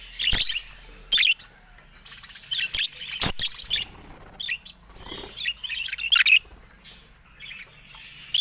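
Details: Caged budgerigars attacking a camera give clusters of high chirps and squeaks, punctuated by loud sharp clicks from beaks striking the lens and brief wing flutters.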